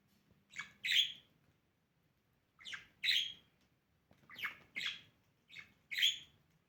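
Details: Pet budgerigar during morning play giving harsh, scratchy squawks in quick pairs, each pair a shorter note then a louder one, four pairs spaced with short pauses, in a quiet indoor setting.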